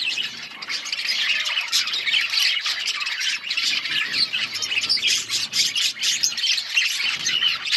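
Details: Dense chirping and squawking of many budgerigars in an outdoor colony, a continuous high chattering babble with rhythmic pulses of louder calls.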